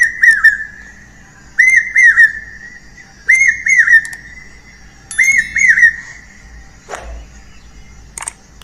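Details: Common hawk-cuckoo, common in Bangladeshi villages, its call heard as 'chokh gelo', played from a phone: loud, shrill three-note whistled phrases, each rising then dropping, repeated about every two seconds; a single click near the end.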